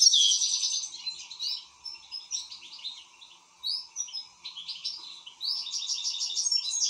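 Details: An excited European goldfinch sings a lively run of twitters, opening with a rattling trill, then liquid chirps and slurred notes, and ending in another fast buzzy trill. A low steady hum stays in the background.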